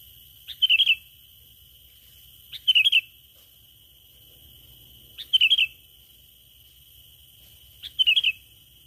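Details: Sooty-headed bulbul lure call: four short bursts of bright chattering, tumbling notes, each under half a second, about every two and a half seconds, over a steady high continuous tone and quiet low rumble.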